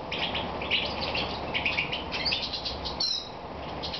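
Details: European goldfinch during moult, evening recording from Romania on 22 May 2014; bubbly twittered chirps with a few bright pure notes, fading slightly in the final second, hiss throughout.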